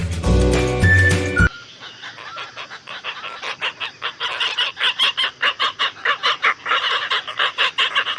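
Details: Asian openbill in Sri Lanka giving a steady run of harsh, clattering pulses, about two or three a second, after a brief burst of music.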